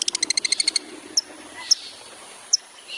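A long-tailed shrike fires a quick volley of about a dozen bright, harsh notes in under a second, then gives a few isolated sharp, high chips.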